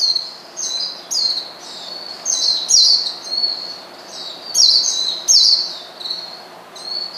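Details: Oriental white-eye provoking a rival, uttering high, slurred, descending chirps in short pairs and triplets, spaced roughly a second apart.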